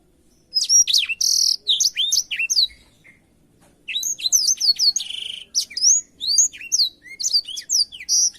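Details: Song of a black-throated canary intended for canaries to copy: an opening flurry of sharp whistles and buzzy notes, a near-silent gap around the fourth second, then renewed fast, swooping twittering to the end.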